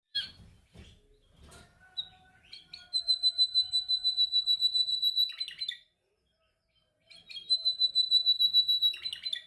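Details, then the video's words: Canary singing during song training, practising its song: long, steady high whistled tones held for seconds, broken by quick rattling trills and short chirps, with a brief silent pause before the steady whistle resumes. "Your canary sings immediately when he listens to this canary singing"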